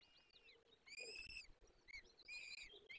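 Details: Nestling peregrine falcons at a forest nest, Barycz Valley, on 17 April 2024, calling during feeding: shrill, harmonic-rich whines about half a second long, two strong ones with softer chirps between.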